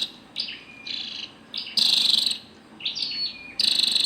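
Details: Calls of a female scarlet-backed flowerpecker: thin, high ticking notes and brief buzzy bursts, a few clusters spaced over several seconds with short pauses between, little else audible.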